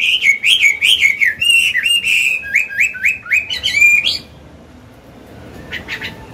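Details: Old wild-caught Chinese hwamei singing for training caged birds: fast, loud whistled phrases swooping up and down near the top of its range, ending abruptly, followed by quiet and a faint short chirp.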